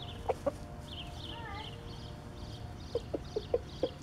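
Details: Rooster giving a food call to tell his hens he has found food and where it is: short low clucks, a pair near the start then a quick run of five or six evenly spaced clucks, with faint chirps of other birds behind.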